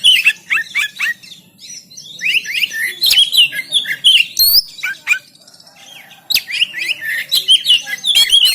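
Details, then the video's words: Training recording of an oriental magpie-robin, made in Banten with an Android phone: rapid rich whistles and scratchy notes in repeated bursts, with a brief lull before the lively phrases return. "Memancing Kacer Macet Bunyi Gacor Bongkar Isian"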